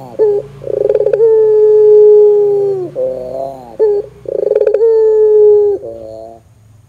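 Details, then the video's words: Barbary dove, an energetic caller meant to trigger other doves: two rolling bursts that lengthen into sustained, even coos falling off at the end, separated by quieter undulating notes, over a faint low hum. "suara PUTER gacor Bikin PUTER Lain dengar cepat IKUT BUNYI"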